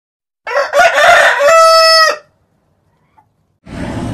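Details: White Leghorn rooster, one of three domestic males kept together, giving a loud crow: a harsh, ragged opening rising into a long, steady, harmonic-rich cry that ends abruptly after about two seconds, followed by silence and then a short burst of broadband noise.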